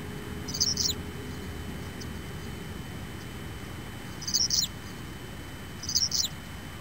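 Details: Hellmayr's pipit (Anthus hellmayri), Sector Cajón, Araucanía Region, Chile, recorded 25 September, gives three brief, thin, high-pitched twittering phrases, spaced a few seconds apart, over a steady low rumble of wind.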